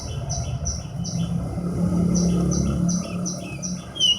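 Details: Horsfield's bush lark singing a steady series of short, high chirps, each paired with a lower note, repeated about three times a second, over a continuous low rumble like passing traffic.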